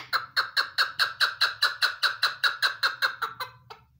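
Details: Female chukar partridge giving a steady series of rough, clucking notes, evenly spaced about three to four per second, ending with a final softer note.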